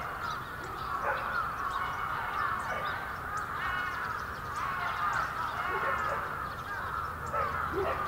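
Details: A winter gathering of many bramblings at Yoyogi Park, Tokyo, February 2019: loud, continuous overlapping chatter that swells and fades in waves, with some sharp high notes.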